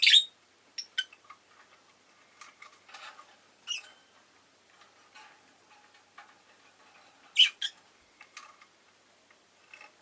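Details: A rosy-faced lovebird calls in scattered bursts: a few sharp, piercing chirps at the start, middle and near the end, separated by long quiet stretches with faint clicks and soft chatter.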